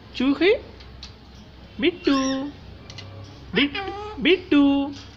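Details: Pet parrot practising talking: paired, voice-like syllables with upswept starts and sustained buzzy tones, three clusters in about five seconds, separated by short quiet gaps.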